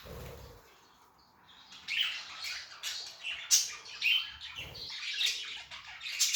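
Budgerigar chirping in quick, scratchy bursts of high notes and warbles.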